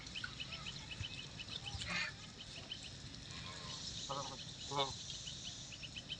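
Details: A white call duck kept as a pet gives two short, nasal quacks close together near the end, while small birds chirp continuously in the background with a constant outdoor hiss.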